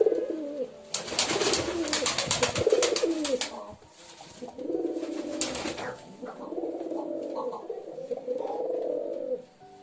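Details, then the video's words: Pigeons cooing in low, throaty rolling phrases, several overlapping, broken up by loud broadband rustling bursts like wing flapping early in the recording. "Pigeon Sound Effect 🦅 Pigeon Sound 🦅 কবুতরের ডাক"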